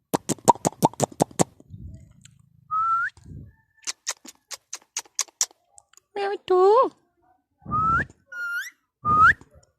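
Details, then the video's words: A pet rose-ringed (Indian ringneck) parakeet gives short rising whistles and a harsh, speech-like phrase after a quick burst of clicking taps, while a person talks to it and coaxes it to dance and whistle. "Talking parrot natural sound / Voice || Indian ringneck parrot sound"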